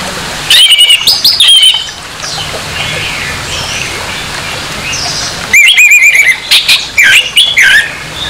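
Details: Orange-headed thrush in harsh, provoking song used to raise another thrush's aggression: a loud phrase of quick rasping, trilled notes at the start, a quieter stretch of faint chirps, then a longer stuttering burst of grating notes.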